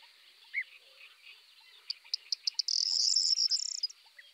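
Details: Eurasian tree sparrow (Passer montanus) calling: a single chirp, then sharp ticking notes that speed up into a dry, buzzy chatter, over a steady high insect hiss.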